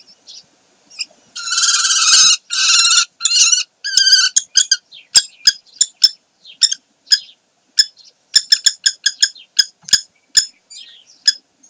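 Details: Common kestrels recorded at Sägeweg on 12 May 2023: loud, harsh, drawn-out screeching calls repeated several times, then a long run of short sharp clicks and ticks at an uneven pace.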